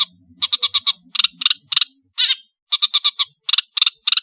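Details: Long-tailed shrike from Madura, singing vigorously with full variation: quick clusters of three to five harsh, buzzy notes with a brief drawn-out rasp in the middle, separated by short gaps, with faint low murmurs early on.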